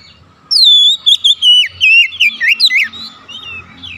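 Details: Oriental magpie-robin calling a companion, which answers. A long, loud, continuous stream of whistled, sliding notes lasts about two and a half seconds, then trails into softer, scattered whistles.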